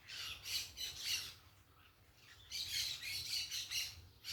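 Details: Parakeets calling in the open: short, sharp, scratchy squawks given in quick pairs, a pause of about a second, then a rapid run of several more shrill calls.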